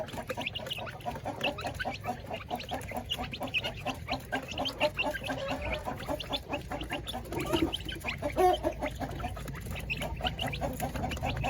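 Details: Village chickens kept in coops alongside laying hens, at feeding time: dense, rapid clucking from several birds, short repeated notes tumbling over one another for the whole stretch, with a louder burst of calls near the end.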